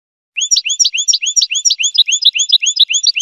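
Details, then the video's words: Fast, rolling goldfinch song of looping, upward-curving chirps in quick succession, with sharper high notes interleaved, forming a lively continuous trill; silent background. "Golden-feathered Goldfinch singing show"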